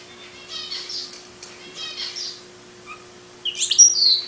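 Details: Long-tailed paradise whydah singing its distinctive chatter: soft buzzy trilled phrases, a brief low whistle, then louder high sweeping squeaky notes at the end.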